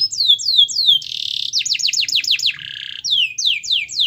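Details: Gacor canary singing as a lure for a lazy bird: falling whistled slurs, a harsh buzzy burst, a quick run of downslurred notes, another buzz, then more descending whistles.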